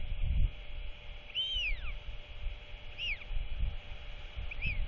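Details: Royal albatross chick with its father, who arrives just before dark to feed it, 27 March 2024. Three whistled, arching notes, the first long and sweeping downward, the others shorter, with soft wind beneath.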